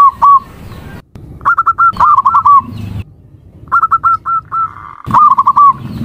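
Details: Zebra dove repeating quick trilled coos, then a row of short evenly spaced notes ending in another wavering trill, with silent gaps and clicks between phrases.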